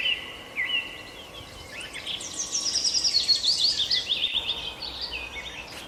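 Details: Birds chirp in a dense, tumbling chorus. A high, rapid twittering series swells in the middle, then gives way to lower chirps near the end. A faint hum sits underneath.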